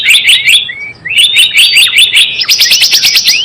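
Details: Java sparrow lure call for catching birds: quick chirp clusters and a short whistle, then a faster, steadier series of crisp repeated chirps building toward the end.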